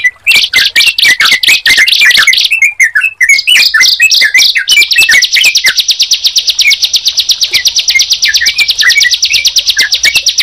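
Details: Sunda pied chat and yellow-vented bulbul singing together: varied chirps and whistles, then a long, fast, buzzy trill that runs unbroken for several seconds.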